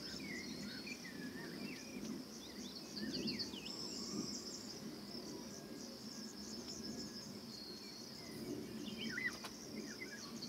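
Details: Eurasian golden oriole near the nest, Bulgaria, June 2019, filmed from a hide with a Sony FDR AX 700 camcorder; scattered brief whistled and slurred notes, a few clearer fluting phrases late on, under a continuous high insect drone.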